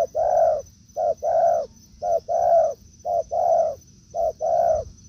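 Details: Forest encounter between a decoy and a wild spotted dove: five regular coo doublets, a short soft note then a longer rounded coo, about one per second, backed by a thin steady whine.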